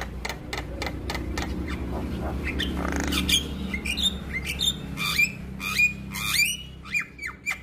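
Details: Male Javan myna singing in lively form to prompt other mynas that hear it to start singing. Sharp dry clicks open, then loud squawky whistled notes repeat roughly every half second, over a steady low background hum.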